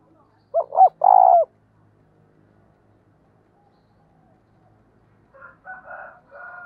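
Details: Spotted dove used as a decoy to lure wild birds, giving a clear three-part coo: two brief soft notes and a longer vibrating phrase, then silence before quieter, distant cooing phrases several seconds later.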